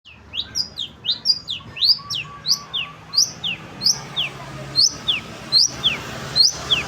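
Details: Long-tailed shrike sunbathing, giving a run of sharp two-part notes, a rising upslur then a falling slur, repeated about twice per second, with faint lower murmur in the background.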